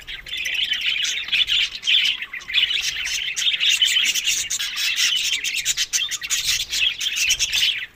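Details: Budgerigars feeding on summer food during May to June, Larkana, Sindh: an unbroken, busy warble of overlapping high chirps and twitters, steady in loudness throughout.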